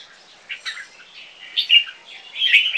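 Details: Captive two-year-old Asian black bulbul crossed with red-whiskered bulbul, from Thai competition stock: soft scattered chirps building to clearer whistled notes and a louder bubbling phrase at the end.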